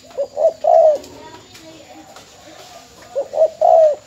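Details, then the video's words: From Bến Tre, a spotted dove used as a mồi mỏ công decoy and since sold: two identical coo phrases about three seconds apart, each short-short-long, with soft background hiss between. "Cu gáy bến tre"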